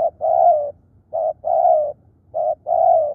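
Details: Decoy spotted dove singing persistently and aggressively: three phrases of mellow cooing, each a brief coo then a longer sustained one, spaced a little over a second apart, steady and clear against quiet low rumble.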